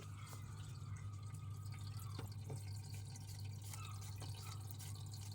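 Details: Low steady hum with faint dripping water and scattered soft clicks indoors, no animal calls heard.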